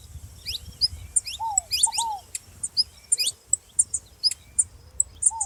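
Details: Saffron finch calling alongside a ground dove: rapid sharp high chirps and steeply rising tweets in quick, irregular bursts, with a few lower arched whistled notes in between and faint low background rumble.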